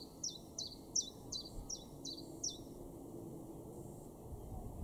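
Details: Common Chiffchaff singing in a garden in Weener, East Frisia, in Germany's far northwest, in May: a run of seven sharp, high, downward-slurred notes at about three per second, followed by steady background hiss.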